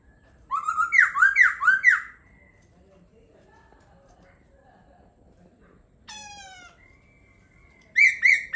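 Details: Laughingthrush singing: a quick run of four loud, rich whistled notes rising and falling, then a pause, a single sharp downward-sweeping note, and another burst of bright whistled notes at the end.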